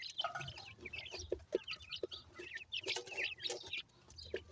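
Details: Captive grey francolin chicks from Punjab twitter in bursts of high, slurred cheeps, several birds calling together, with scattered knocks and a low background rumble.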